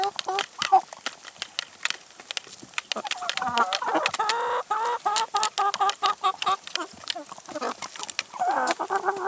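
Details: Chickens pecking at salad and vegetables; irregular soft clucks and wavering murmurs rise in the middle and again at the end, surrounded by many crisp pecking clicks.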